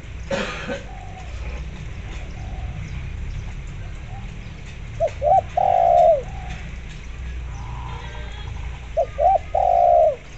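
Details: Actively calling spotted dove, played to coax zebra doves into answering: two phrases about four seconds apart, each two quick rising notes and then a long, drawn-out purring coo falling at the close, with a faint low hum behind.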